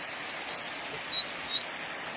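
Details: Grey Wagtail calling: two short, very high sharp notes, then a quick rising whistled sweep and a brief lower closing note, all within about a second against a quiet hiss.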